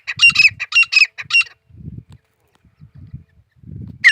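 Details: Teetar, the grey francolin, gives a short burst of loud, rasping repeated notes over about one and a half seconds. Low thumping sounds fill the quieter gaps before another note starts at the end.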